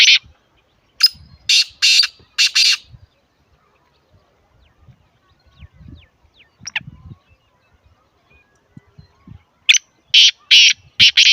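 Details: Black francolin call for encouraging captive birds to call more fluently. Two phrases of four harsh, scratchy bursts each are separated by a long, mostly quiet stretch with soft low clicks.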